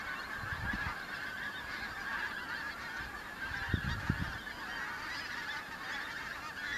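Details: Pink-footed geese arriving as autumn migrants in the Kelvin Valley, North Glasgow, 25 September 2021; dense massed yelping from many geese throughout, with brief low wind thuds near the start and middle.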